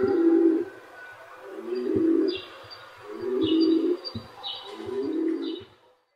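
Pigeons cooing, low soft hooting notes repeated in overlapping phrases every second or two.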